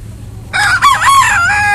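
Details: Rooster kept among thirteen chickens gives a wake-up crow: a sudden, strong, rasping cock-a-doodle-doo, warbling up and down in pitch before holding a level tone, cut off at the end, with faint low background hum.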